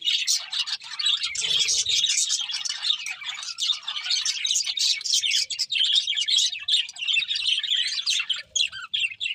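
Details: Several budgerigars warbling happily while eating: a dense, unbroken stream of high, rapid chirps and chattering twitters that overlap and rise and fall in loudness for the whole stretch, with a few faint low knocks early on.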